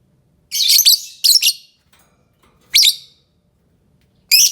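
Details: Lovebird making piercing, raspy chirps in irregular bursts, two close together, then a pause and two more single shrieks.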